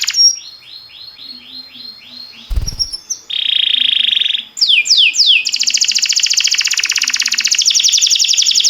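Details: Timbrado canary singing as a training song for canaries: a row of quick falling notes, a brief click, a rolled steady trill, three downward swoops, then a long rapid pulsing trill.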